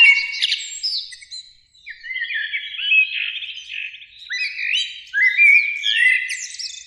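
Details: Springtime Eurasian blackbirds in a beech tree by a lake in the evening, two birds singing: dense overlapping warbled phrases, fluty slurs tangled with squeaky high twitters, swelling and fading in bursts with brief dips between.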